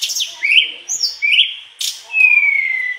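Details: Mangrove blue flycatcher singing in lively gacor style, unloading its isian repertoire: high sweeping whistles, a rising slur and a long clear descending whistle, with short sharp chips between phrases.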